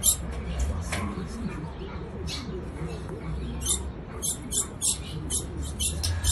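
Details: Female ultramarine grosbeak calling to excite the male: a few scattered high chips at first, then a denser run of sharp, clipped notes, over low background hum.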